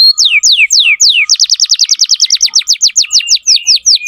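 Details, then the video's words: Vigorous canary singing used to teach young canaries: several slow, drawn-out downward-slurred whistles, then a rapid rattling series of short, sharp falling notes repeated many times a second. "Masteran kenari muda dengan pancingan kenari gacor"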